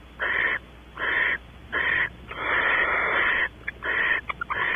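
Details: Barn owl pair in a nest box at Audubon Starr Ranch, California, mating after the female enters; three harsh, breathy hisses, then one drawn-out rasp over a second long, followed by a broken burst with brief clicks.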